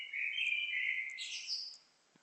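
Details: A singing bird delivers a continuous warbled phrase that rises from a mid-pitched chatter to higher, squeaky notes, followed by a faint click.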